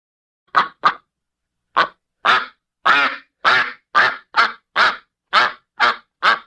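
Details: Duck giving a laughing call: a run of harsh, nasal quacks, two quick ones, a pause, then a steady series of about ten loud rasping notes roughly two per second, with nothing else heard.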